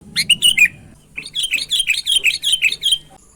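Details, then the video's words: Sooty-headed bulbul (kutilang), a prolific 'gacor' singer full of 'isian', mimicked notes of other birds, used as a master tutor for young and adult bulbuls: short bright chirps, then a run of quick looping warbled notes, faint low hum behind. "Suara Burung Kutilang Gacor Full ISIAN MEWAH"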